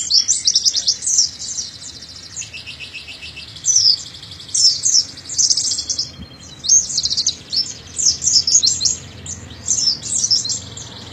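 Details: Oriental white-eye (Zosterops palpebrosus) gives rapid, high, twittering song phrases in bursts a second or two long, repeated with short pauses, used as master song to train young birds to sing.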